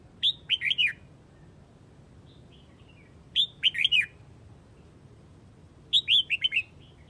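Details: Flock-calling red-whiskered bulbul from Hue: three loud phrases of rapid, chirpy whistles sliding downward, about three seconds apart, with faint soft twittering notes trailing after the first and last.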